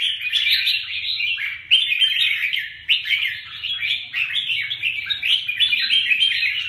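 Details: Two red-whiskered bulbuls, of the Huế bướm and Huế tê giác types, fighting each other: a dense, nonstop stream of bright chirps and warbled phrases, with sharp loud notes breaking in now and then.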